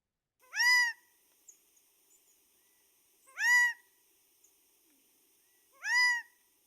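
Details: Male Gambel's Quail giving its advertisement song, a single short, nasal, downslurred 'kaa' note repeated about every two and a half seconds; otherwise quiet.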